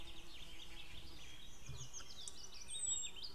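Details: White-tailed eagle pair calling outdoors on 2 May 2016 at midday, female near and male far; wavering, repeated high yelps running the whole stretch above a low rumble.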